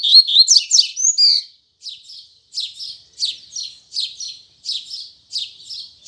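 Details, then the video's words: In the morning a double-collared seedeater opens its Braddock song: a loud quick tumble of whistled, rising notes, then a steady series of softer high chirps about every two-thirds of a second. "Coleiro Braddock Abrindo Canto Tui Tui Zel Zel Firme Pela Manhã!!!"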